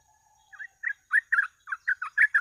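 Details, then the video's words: Sooty-headed bulbul singing in the rapid gacor ropel style used as a bird-catching lure: after a quiet start, loud bubbly warbled notes come in quick succession, each short and slightly rising, over a thin constant high hum. "BURUNG TRUCUK FULL GACOR ROPEL,PANCINGAN TER'AMPUH"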